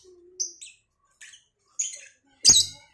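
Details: Lovebirds of the Cobalt and Batman colour types calling back and forth in the morning: a low hum, then short sharp high chirps and one harsh broadband shriek near the end, with quiet gaps between calls.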